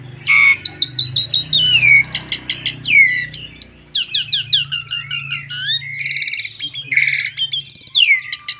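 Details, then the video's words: Asian pied starling giving full 'isian' song as a lure so other starlings will sing: an energetic flow of clipped chirps, downward-swooping whistles and buzzy rattles, with a soft low hum beneath. "BURUNG JALAK SUREN NEMBAK FULL ISIAN PANDAI PANCING JALAK SUREN JADI GACOR"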